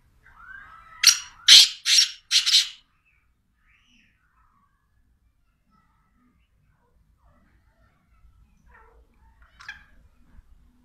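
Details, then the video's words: Black francolin (teetar) calling: a phrase of four harsh, buzzy, broadband notes delivered within about two seconds, followed by near silence broken only by a few faint, short chirps near the end. "Black francoline teetar sound"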